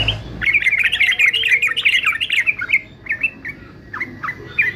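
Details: Male fighter yellow-vented bulbul used for singing training, giving a rapid chattering string of bubbly notes, then sparse short rising chirps after a pause.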